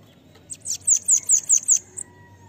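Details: Bananaquit song for teaching young birds: one rapid, high, sibilant run of roughly six piercing downslurred notes lasting just over a second, ending in a short clipped note, over soft low hum.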